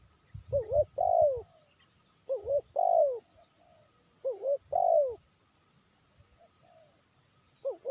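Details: Spotted dove calling, used for luring: a repeated phrase of two short hooked coos and a long, loud, falling coo, given about every two seconds. Low thumps sound early on, and a faint steady high whine runs underneath.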